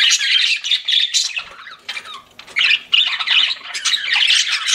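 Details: Pet budgies in a group chirping: loud bursts of scratchy, buzzy warbling broken by short quieter gaps before the chatter resumes.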